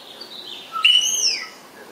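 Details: Spotless starling giving one clear whistled note that rises, then slides down over about half a second, with fainter higher overtones above it.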